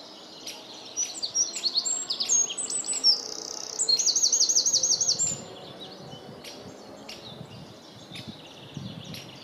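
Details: Small Eurasian wren belting out its song: quick high twittering notes and rolls building to a bright, steady rattling trill lasting over a second, then the song breaks off, leaving faint outdoor noise and a few distant chips.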